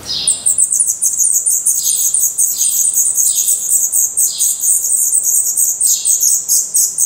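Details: Black redstart nestlings with open eyes and growing plumage beg in a nest in Portugal, a continuous shrill high chorus with recurring lower downslurred wheezy notes every second or so.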